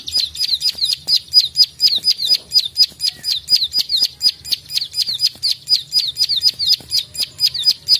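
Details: A combative, chatty plain prinia gives a long, even series of sharp, high klik-klik clicks, roughly two per second, over a soft low hum.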